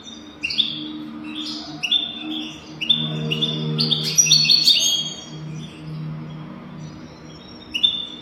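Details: A European goldfinch in a recording made to teach goldfinches to sing: short, clipped, high twittering notes repeated in series, building to a dense sparkling burst, with a steady low hum behind.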